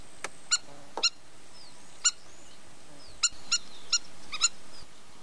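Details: Spur-winged plover at the Evros Delta, Greece, giving short sharp clicking calls with a harsh ringing quality, about eight notes scattered irregularly over five seconds, faint thin whistles between them, low background hiss.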